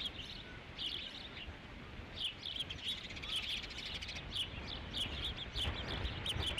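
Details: Osprey calling at the Dunrovin Ranch nest, 3 July 2016, during a fish delivery (the fifth of the day); a quick series of shrill, piping chirps, irregular but near-continuous, over low rumbling background noise.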